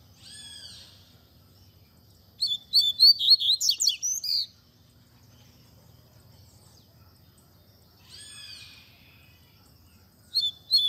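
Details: Tui tui zel zel song of a Double-collared seedeater, meant as a tutor for young birds: a short slurred whistle, then a fast buzzy twittering phrase, repeated after several seconds of quiet with faint background hum.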